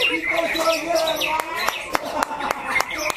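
White-rumped shama singing rich, varied whistled phrases that swoop up and down, broken by sharp clicking notes about every quarter second.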